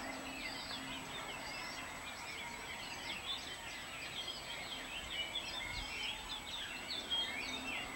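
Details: Wild Atlantic canary (Serinus canaria) on Gran Canaria singing a continuous, high twittering warble of quick trills and sliding notes, over a faint steady hum.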